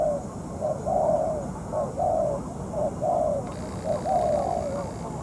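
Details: Spotted dove: a molting ground decoy used in trapping, dueling a tough wild bird. Mellow, slightly falling coos come in short phrases, about one a second, in a quiet room-like setting.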